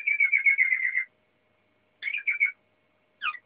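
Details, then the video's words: Waterslager canary song: a fast, liquid, bubbling roll about a second long, then shorter gurgling phrases separated by silences. "Kanarie waterslager aan het zingen"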